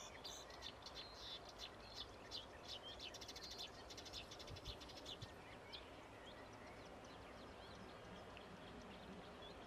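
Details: Marsh warbler singing near Rijssen on 25 May 2016: a fast, chattering run of varied high twittering and buzzy notes, densest around the third second, over a steady low background hum.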